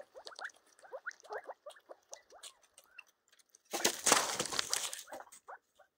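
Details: Young yellow golden pheasants on a pheasant farm: a quick string of short, downslurred peeping chirps, several each second, broken by a loud rustling, scraping burst midway.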